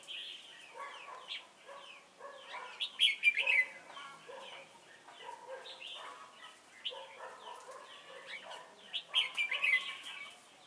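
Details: Trapping decoy red-whiskered bulbul at Chùa Hương, 28 November 2017, delivering varied chirpy warbles in two energetic bursts separated by quieter, steady twittering.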